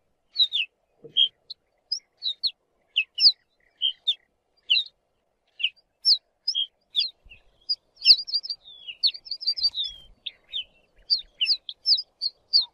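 Ortolan bunting giving short, high chirps and clipped whistled notes, scattered at first, then bunching into quick, busy runs. No other sounds.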